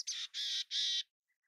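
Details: Mountain chickadee giving three harsh, buzzy notes in quick succession, each lasting about a quarter second, the last slightly longer, followed by silence apart from two faint soft ticks.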